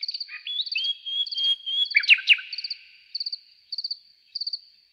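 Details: A nightingale singing at night in a forest gives a rising whistle, a long sustained note and sharp clicks, against a steady high insect trilling that pulses about three times a second.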